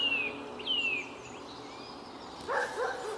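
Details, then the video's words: Male Eurasian nuthatch singing beside his feeding mate in Samara, Russia, on 13 April 2019 gives two clear downward-sliding whistles about half a second apart, then a brief harsh, scratchy burst. "Поползень поет"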